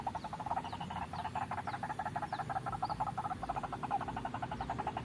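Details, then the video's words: White-breasted waterhen call used as a lure for trapping: steady quick croaking pulses with a pulsing rhythm, and faint high chirps overhead. "suara pikat burung ruak ruak"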